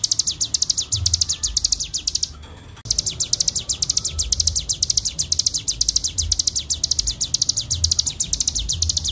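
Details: Bar-winged prinia in ngebren-style training master song: fast, high, repeated chirps, briefly cut near the third second and then resuming at the same brisk pace.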